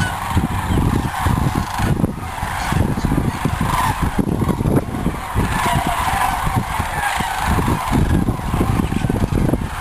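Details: Several thousand sandhill cranes fly in at sunset from feeding in cornfields to roost in the shallow Platte River, Nebraska, during migration, giving a dense, nonstop warbling-bugling chorus of rolling rattles that grows very loud, over heavy wind rumble.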